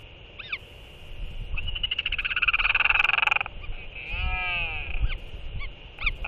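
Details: Two northern royal albatross chicks, 77 and 69 days old, skycall to each other after a parent's feeding on 9 April 2024: a loud, braying, rattling call swelling to a long harsh peak, then wavering whistled moans, over steady wind.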